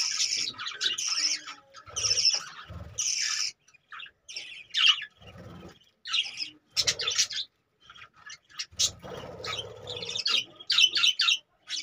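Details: Several caged budgies give high chirps and scratchy warbles in irregular clusters with silent gaps between, plus a few low thuds.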